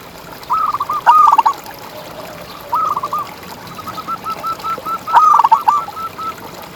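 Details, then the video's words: Local champion zebra dove in ngalas-style song for tutoring contest birds: three stuttering coo phrases, with a quieter run of quick evenly spaced notes between the second and third, over soft constant hiss. "Perkutut Juara Gacor Ngalas"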